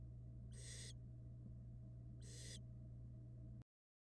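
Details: Barn owl nestlings in a nest box on a live camera, hatched in February 2022: two harsh, broadband hissing bursts about two seconds apart, each under half a second, over a steady low hum.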